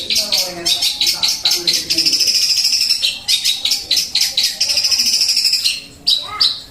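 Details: Eurasian tree sparrow fighting song, 'tembakan' burst style: dense high chirps and buzzy trills pulsing several times a second in long runs, with a brief pause near the end.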